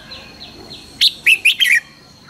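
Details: Morning song of a red-whiskered bulbul being trained to sing fast and fiery. A quick string of four loud, bright whistled notes follows soft, distant chirps in the background.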